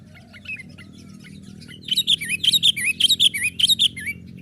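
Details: Young sooty-headed bulbul playing on a branch, a lure to rouse wild birds: soft faint notes at first, then a fast bubbling series of about a dozen looping, warbled chirps.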